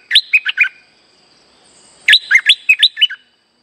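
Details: Lively streak-eared bulbul singing, a lure recording for trapping birds: a quick phrase of four clear chirped notes, a pause of over a second, then a longer run of about six rising and falling notes, over a thin steady whine.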